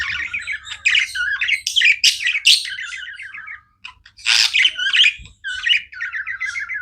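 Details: Chirping pet budgerigars produce a busy stream of rasping warbles and quick high chirps, with a brief gap near four seconds before the chatter resumes.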